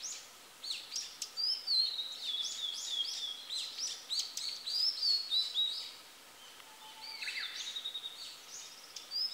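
A female blue-and-white flycatcher sings high, clear whistled phrases mixed with quick chattering notes, pausing briefly before a second phrase, over faint steady background noise.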